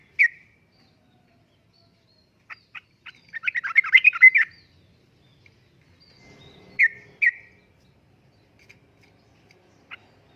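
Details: Sooty-headed bulbul singing in the uplik-uplik style, a recording for luring and tutoring caged birds. A short bright note, then a burst of quick chattering notes, then two louder clipped notes and a final soft note, with long quiet gaps.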